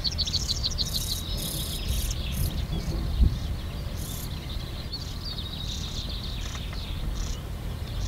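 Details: European stonechat fledglings at NSG Ahsewiesen, Germany, at 08:35 on 30 May 2019 give thin, high chirps in quick, uneven bursts while being fed, over steady low wind rumble and occasional rustling.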